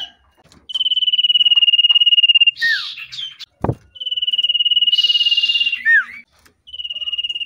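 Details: A Common Iora, a male in breeding excitement on meeting a female, gives long, even, high trills about two seconds each, broken by harsh chattering bursts and quick falling notes, with a sharp knock between phrases.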